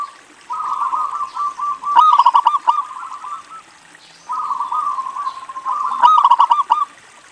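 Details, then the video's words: Lure song from a local zebra dove meant to coax other doves into singing. Two rippling phrases of quick, bubbling notes build to a louder clicking burst before trailing off. "PERKUTUT LOKAL GACOR INI PALING BANYAK DICARI UNTUK PANCINGAN"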